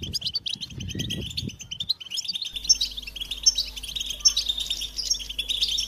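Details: A European goldfinch sings a fast, high, chattering warble of tinkling chirps and trills, with low rumbling noise at the start.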